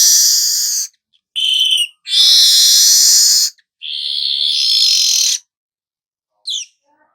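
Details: Weaver singing long harsh hissing buzzes, about a second or more each, mixed with a short clear whistle, then a quick upward chirp after a pause.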